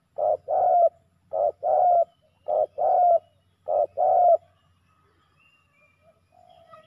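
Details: Male spotted doves in a fight during ground decoying. Four pairs of low coos, a brief note then a longer one, repeat steadily about once a second. Faint distant chirps from other birds follow.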